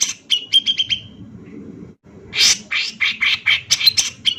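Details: Male Grey-cheeked Bulbul singing energetically in an agitated, rapid-fire style: a fast series of sharp notes running into a buzzy trill, a pause, then loud harsh chattering bursts repeated about every quarter second. Faint low hum underneath.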